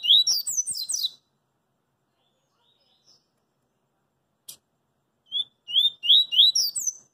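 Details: Song of a double-collared seedeater out in the street, 'coringa' style: a fast run of high twittering notes ends, a few seconds of quiet with a faint click follow, then whistled notes start the next phrase.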